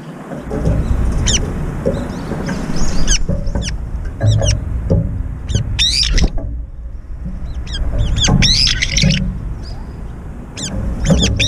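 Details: Competing for food at a feeder, brown-eared bulbuls give repeated sharp high squeals and short harsh chatters in clusters, over steady low rumbling background.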